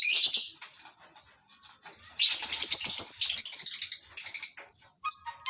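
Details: Morning at a lovebird breeding farm: several birds in a mini colony aviary give a loud burst of shrill screeching, a long stretch of harsh, rasping chatter, then a few sharp squeaks.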